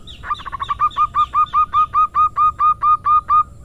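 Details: Local female zebra dove giving the coaxing 'manja' rhythm used to lure: rapid stuttering notes that settle into a steady string of about fourteen short, rounded coos over three seconds.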